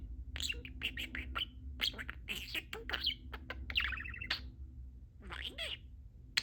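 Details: Happy pet budgie talking to its owners in a room, a fast run of scratchy clicks, buzzy warbles and bright chirps, with one rising squeak near the end and a faint low hum underneath.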